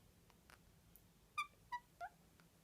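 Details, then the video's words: Pet bird being cute indoors: three short, clear, tonal squeaks about a third of a second apart, each slightly lower than the last, in a quiet room. "Squeaky bird"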